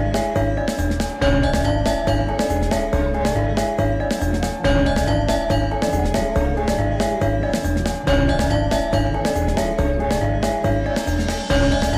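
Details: Loud, steady music with a heavy beat and repeating melody fills the whole stretch, with no animal voice standing out.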